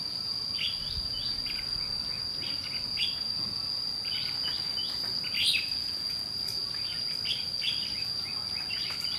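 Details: Combative challenge song of a red-whiskered bulbul, white-cheeked, at a fight trap with a lure bird: scattered clusters of bright, clipped chirps and short flourishes throughout, beneath a steady piercing insect tone.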